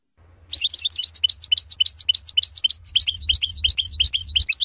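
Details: European goldfinch song from a F.O.C.S.E training session for novice birds: continuous fast, varied twittering and tinkling notes with a low steady hum underneath.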